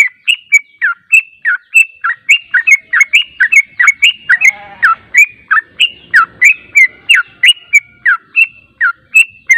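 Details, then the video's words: Yellow-vented bulbul song used to lure birds into answering: a long steady stream of cheerful chirps and falling slurred notes, about three per second, with a brief low rustle midway. "PANCINGAN TRUCUK JANGAN Di Ragukan Langsung Nyaut"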